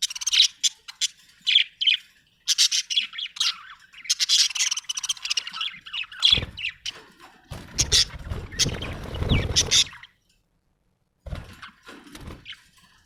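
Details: Happy budgerigar chattering almost nonstop with rapid, squeaky, scratchy chirps and squawky notes. A stretch of louder rumbling, broadband noise runs underneath near the end before a short pause and a few final chirps.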